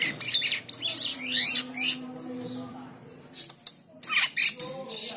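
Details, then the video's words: White-shouldered triller in lively song for tutoring other birds: an opening cluster of high, scratchy, descending notes, a quieter stretch, then scattered sharp bursts with a low hum behind. "Burung Jalak Kapas / Kapasan Gacor l Untuk Masteran Durasi panjang."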